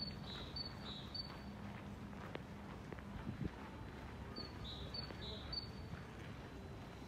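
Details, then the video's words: February 2024 great tit in a deserted town square in Sundsvall, giving two brief strophes of two or three sharp two-note phrases, with footsteps, clicks and distant town hum between them. "Talgoxe spel/sång"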